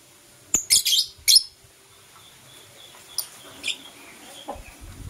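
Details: Blue Opaline and Euwing Opaline lovebirds kissing in the morning; three loud, harsh, high chirps in quick succession, then a few softer scattered notes.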